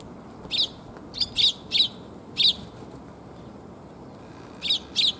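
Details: Sparrows coming to be fed on New Year's Day 2022: clear, loud chirps in a cluster of five spaced under a second apart, a two-second gap, then two more chirps, over quiet background hum.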